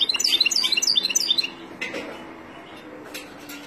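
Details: Wild European goldfinch song for teaching young birds: a quick run of clear twittering and tinkling notes for about a second and a half, then mostly quiet with a few faint clicks.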